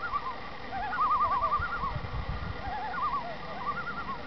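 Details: Common loons on Long Lake in the Adirondacks, New York, in the morning, giving wavering, quavering calls that overlap in rapid wobbling phrases, over a steady low rumble of wind and water.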